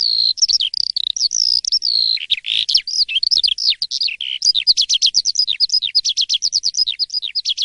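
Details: Asian pied starling, or jalak suren, singing in the morning: it opens with level whistled phrases, then shifts to a rapid, rhythmic series of short rising-falling chirps, nearly three per second.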